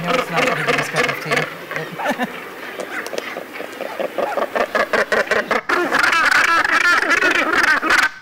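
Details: Northern Gannet sea-cliff colony of many thousands of birds: harsh, guttural clacking calls overlap in rapid bursts, several per second, over a steady roar; gannets recognise their young, mates and neighbours by these calls.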